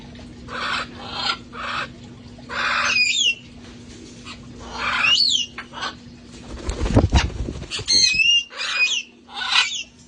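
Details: Several parrots from a sanctuary flock playing outside before the cold weather: bursts of harsh, noisy squawks mixed with sharp whistled chirps that rise and fall. A loud low thump sounds near the middle.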